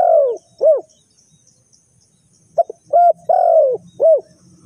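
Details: Lure call of a spotted dove for trapping birds: low, mellow coos, a long falling note followed by a short one, then a quiet gap and a run of four more coos of mixed length.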